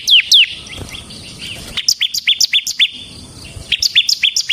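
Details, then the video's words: Ciblek, the bar-winged prinia, a semi-type singer in full voice; two loud falling whistles, a quiet gap, then repeated high clipped notes in quick series with a brief break midway. "suara burung CIBLEK SEMI GACOR Ngebren Ampuh untuk Pancingan Ciblek Kristal dan Masteran Ciblek"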